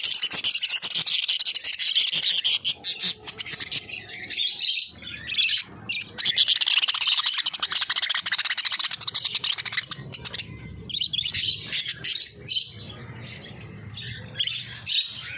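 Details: A flock of rainbow-coloured budgerigars chatters continuously with high, buzzy warbles and quick chirps.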